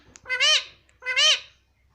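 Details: Indian ringneck parakeet saying "mummy" twice in quick succession: two loud, high, reedy syllable pairs about three-quarters of a second apart, each sliding slightly up and then down, in a quiet indoor room.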